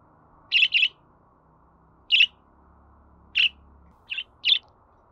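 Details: Chirping budgerigar, played so a pet budgie will start singing: a double chirp, then three single chirps and a softer one at uneven intervals, with light background hum.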